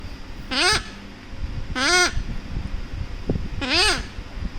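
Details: A young pet Severe Macaw, cuddling with its owner, gives three harsh, nasal squawks about every one and a half seconds, each rising then dropping, over a low indoor rumble.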